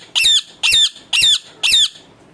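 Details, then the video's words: Four harsh, rasping shrieks from a pet parrot indoors, evenly spaced about half a second apart; its owner says it only makes its natural sound, will not talk, and is always angry and biting. "bolane wala tota"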